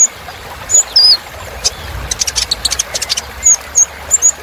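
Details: Kolibri Ninja sunbird giving a luxurious filler song: thin, high whistled slurs and sharp chirps, with a brief burst of rapid ticking notes in the middle.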